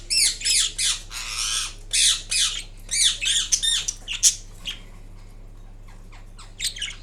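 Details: Indian ringneck parrot in green colouring, making assorted sounds while taking a nap: dense bursts of harsh chattering squawks for four seconds, then faint scattered chirps, over a low electrical hum.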